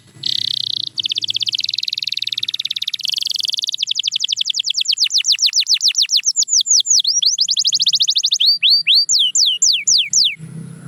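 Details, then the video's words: Canary pouring out a long buzzy roll that shifts into quick, evenly spaced falling whistles, then broader swooping notes. Low background rumble is audible at the start and end. "Watch Silent Canaries Start Singing Again"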